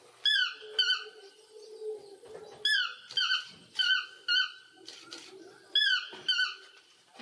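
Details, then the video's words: A toucan gives squeaky, yelping notes that slur downward, often in quick pairs, about two per second, with a faint low hum behind. "Animal sounds - PARTRIDGE // TOUCAN // CORMORANT"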